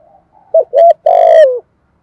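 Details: Decoy dove call: after a faint murmur, two short coos lead into a long, wavering coo that slides lower toward its end, loud and clipped.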